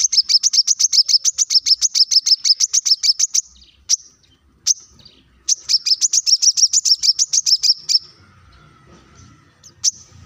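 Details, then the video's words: Plain-throated sunbird, locally called kolibri kelapa, singing as a lure to make other birds sing; long runs of very high, rapid, evenly spaced chipping notes, about three per second, broken by short pauses and single chips. "kolibri kelapa | manggar | wiceh | masteran untuk burung ijoan agar cepat bunyi gacor"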